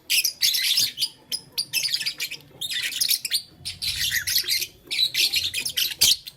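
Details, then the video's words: Morning scene of blue, lutino and green pet lovebirds playing with a flower; loud grating squawky chirps in bursts of a second or so, broken by short pauses. "Blue Lutino Green LoveBird Playing Flower - Chirping Sound"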